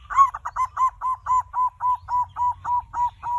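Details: Zebra dove used as a lure to start other birds singing: a fast, even series of about a dozen soft coo notes, roughly four per second, fading slightly, with faint low hum beneath.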